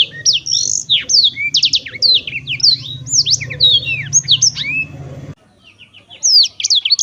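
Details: Cheerful Black-throated canary song: rapid sharp chirps and swooping whistles over a low humming background, a brief gap, then a few more high notes.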